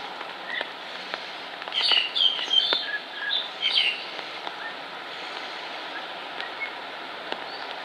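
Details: A fledgling Black-collared starling on a cycling track begs its parent for food: a two-second burst of shrill, squeaky, rasping begging notes, then falls quiet over steady background hiss.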